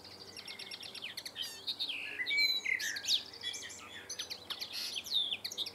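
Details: A male common linnet perched on a slightly swaying wire fence in a town in July sings a rapid, twittering jumble of chirps, trills and clear whistled notes, mostly high-pitched, with a faint background hum.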